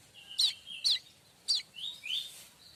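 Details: Streaked weaver, presented as tutor sound for magpie robins and shamas, giving a few short squeaky chirps and slurred upward whistled notes, spaced about half a second apart, fairly soft.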